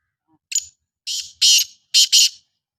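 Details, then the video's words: Harsh, rasping call of a black francolin (kala teetar): five loud buzzy notes, a short opening note, then a longer one, then a grating pair, delivered in under two seconds against silence. "کالا تیتر کی آواز"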